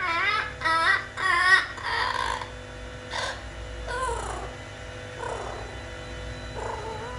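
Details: Pet blue-fronted amazon parrot talking: a quick run of three harmonic, wavering syllables, then slower, softer speech-like notes trailing off over several seconds.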